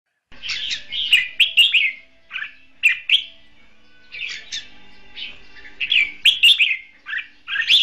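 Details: Caged red-whiskered bulbul kept as a decoy for trapping, giving a competitive singing song: clusters of varied, warbling and slurred whistled phrases with sharp upslurred notes, broken by short pauses.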